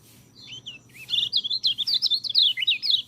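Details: White-eye song used as master recording to train birds that rarely sing: quiet opening notes, then a fast, high, chattering warble of short rising and falling slurred notes, loud and tightly packed.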